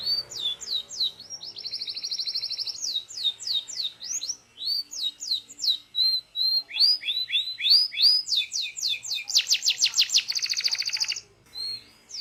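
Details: Local canary training song: rolling phrases of repeated whistled sweeps alternate with fast dense trills and short chirps, loud and continuous for several phrases, no other animals heard.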